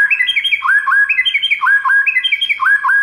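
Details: White-rumped shama master song meant to make other shamas answer: a short phrase of clear, down-slurred whistled notes over a higher twitter, repeated steadily about four times.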